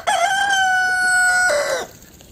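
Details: Rooster in a backyard flock with hens and chicks, crowing loudly in a garden. The crow is already under way, holds a long level note, then drops into a hoarse falling finish before quiet background noise returns.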